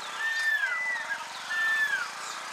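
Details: Pearl-spotted owlet (Glaucidium perlatum) calling near Lake Baringo, Kenya: two drawn-out, downslurred whistles, each about half a second long and spaced over a second apart.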